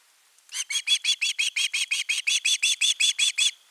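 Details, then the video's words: A Finnish osprey chick persistently calling for fish in August 2021 gives a steady string of about seventeen shrill, harsh piping notes, nearly three per second, strong and unbroken. "Myy huutaa pitkään kalaa"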